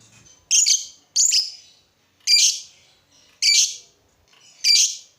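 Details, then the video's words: Lovebird singing, offered as a sound to provoke other lovebirds into singing: five harsh, buzzy chirping bursts, high-pitched with layered overtones, spaced about a second apart with short pauses between them. "Suara burung lovebird ini ampuh bikin lovebird lain ikut gacor"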